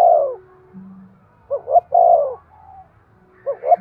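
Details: Spotted dove calling to stimulate breeding: the tail of one coo, then a full phrase of two short hoots and a long rounded coo, a third phrase starting at the end.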